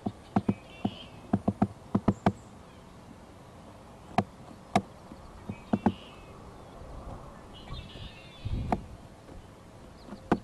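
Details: Woodpecker hammering on a nest tree close to the microphone beside a pond in April. Crisp knocks come in short clusters separated by gaps of several seconds. Faint distant bird calls and a brief low rumble are also heard.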